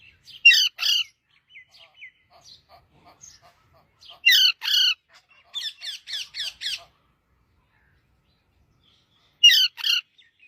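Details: Parrot singing: loud harsh paired squawks recur several times, with a rapid series of five chattering notes in the middle and faint clicks.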